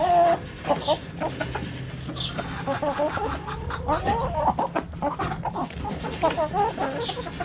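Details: Several backyard chickens busy with a cabbage, clucking in uneven bursts of short notes with occasional longer squawks, overlapping one another above a low hum.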